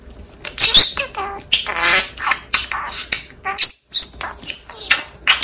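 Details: Pet male budgerigar mimicking human speech: rapid high-pitched chattering of buzzy, raspy syllables with short whistled notes, nearly continuous through the clip.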